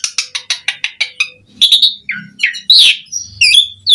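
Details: Lively Asian pied starling song with varied fills, used to stimulate other starlings: about eight sharp repeated clicks open, followed by loud warbled whistles and a harsh burry note.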